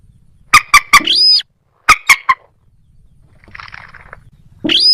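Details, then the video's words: Moorhen with two short bursts of three sharp clucks, each trailing into a harsh squawk, followed by a soft rasping murmur and a final rising squeal. "ডুংখোর পাখি ও খেনি পাখির ডাক(moorhen @ little cracked bird sound)"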